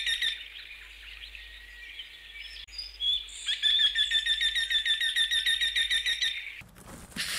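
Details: Eurasian wryneck (Jynx torquilla), a Russian forest bird, giving a run of nasal, ringing 'quee-quee-quee' notes, about three a second, over softer chattering from other birds; a brief thud ends it.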